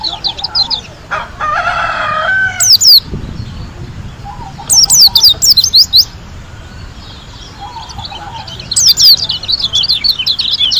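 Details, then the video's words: Lombok white-eye in gacor ngalas singing with tembakan: three bursts of sharp, very high whistled sweeps and chattering notes, separated by quieter gaps. A lower rasping chatter and soft low trills sound behind them. "KUMPULAN SUARA PLECI GACOR ASLI DARI LOMBOK‼️ SUPER NGALAS TEMBAKAN MEWAH"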